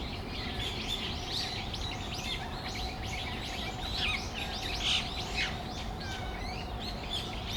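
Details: Brown-eared bulbuls calling together in Tamagawadai Park on a December afternoon, continuous overlapping squeaky chirps and harsh rising notes, a few louder shrieks near the middle, over a steady hum.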